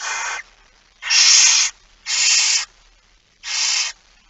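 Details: Barn owls at feeding time, 06:57 on 13 September 2019, Netherlands: loud rasping hissed screeches, each about half a second, four in a row with roughly one-second pauses.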